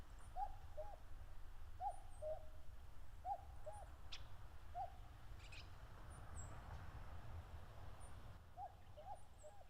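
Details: Wild common cuckoos (Cuculus canorus) calling in late May on open grassland at the foot of Mount Fuji, Japan, while fighting over territory; clear two-note cu-ckoo calls, high then lower, repeated every second or so, with faint high chirps from other birds.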